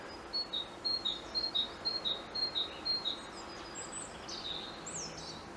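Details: From the top of a tree, a European robin sings a run of evenly spaced high notes, about two per second, then breaks into a jumble of varied, very high twittering phrases; soft background hiss.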